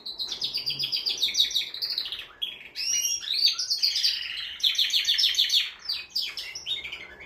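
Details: Male canary in full song to arouse a female for mating: long continuous rolling trills of rapid repeated notes, high and bright, with swooping whistles between tours and barely any pause.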